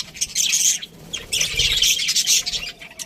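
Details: High, rasping chirps and warbles from budgies kept in an aviary, coming in two or three dense bursts with short gaps between them.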